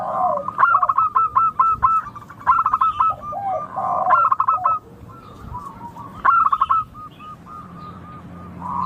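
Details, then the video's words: Local zebra dove singing, meant to spur other doves into song: repeated bursts of fast, staccato cooing notes in quick succession, with softer slurred coos between the bursts. "Suara burung perkutut lokal Merdu kristal Jernih Ampuh bikin cepat bunyi manggung ngayer"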